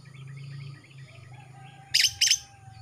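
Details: Kalimantan greater green leafbird, young male newly out of spotted plumage, throat turning black, vocal. A low hum fades, then two loud harsh rasping chips follow in quick succession.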